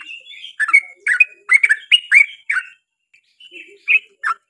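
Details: Long rolling 'ropel' song of a lively yellow-vented bulbul, meant to provoke a reply from its kind: a quick cluster of rich, gurgled whistles, a pause, then scattered softer notes and a faint low call.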